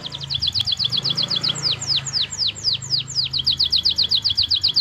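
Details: Singing canary with a varied, showy song: a rapid chirping trill slows into longer, sweeping downslurred whistles before accelerating back into a fast, even roll. A low hum runs underneath.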